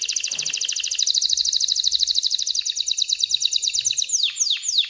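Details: Excited canary song meant to prompt females to mate and nest; a long, fast, even trill of rapidly repeated high notes, ending in a few sweeping downslurred whistles.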